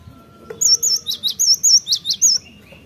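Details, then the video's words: Cinereous tit (gelatik batu) lure song, played to make birds sing readily: a quick burst of about eight high, sharp two-note whistled phrases alternating swooping and rising notes, with a faint low hum behind. "Pancingan gelatik batu,,,cepat gacor.."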